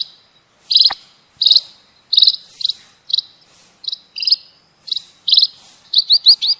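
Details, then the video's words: Lure recording of munias: steady buzzy high-pitched chirps repeated every half second or so, ending in a quick run of four descending notes; background otherwise quiet. "Suar pikat burung EMPRIT ampuh"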